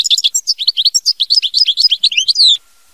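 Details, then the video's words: European goldfinch song in the mama binette style: a dense, rippling stream of high, twisting chirps and trills for two and a half seconds, closing on a drawn-out buzzy descending note. "Chant Chardonneret mama binette"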